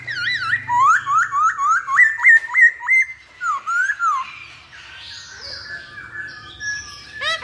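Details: Masked laughingthrush song played as a lure to make birds sing: a fast regular series of loud rising whistled notes, roughly three per second, then quieter chatter and a final sweeping note.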